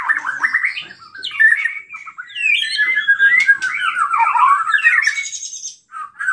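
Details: Agitated white-rumped shama song used to stir other shamas to sing, a continuous fast run of warbled, slurred notes wavering in mid pitch, broken by sharp high ticks and a short buzzy rasp near the end.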